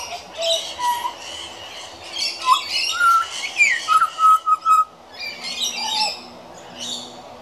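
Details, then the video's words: A young pied butcherbird, a regular visitor, practising his song: soft, fluty whistled notes, some rising and some in a quick run of short pips, over scratchy, harsh chattering. "Juvenile Pied Butcherbird Singing"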